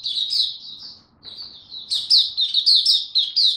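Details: Young male white-eye developing its song, recorded 9 February 2022: high, rapid twittering warble of thin slurred notes, a brief pause near one second, then louder bursts of sharp chirps about twice per second.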